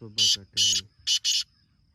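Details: Black francolin calling in the morning in a village area: four loud rasping notes in two pairs, while a man's voice speaks over the first two.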